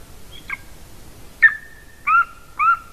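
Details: Golden eagle at a nest in Latvia, filmed by a nest camera on 30 January 2019 around 14:24; a short thin note, then three clear yelping whistles, each trailing into a level held tone, over a quiet background.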